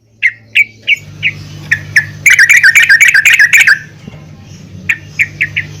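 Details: Yellow-vented bulbul female calling the male, used to make birds sing; spaced single chirps, then a rapid one-and-a-half-second chattering burst, then more spaced chirps over a low hum.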